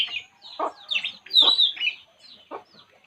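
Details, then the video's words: A relaxing puling bird makes a few squeaky, slightly slurred chirps with lower-pitched ticks between them, then falls silent. "burung puling. Inilah yg dilakukannya saat santay"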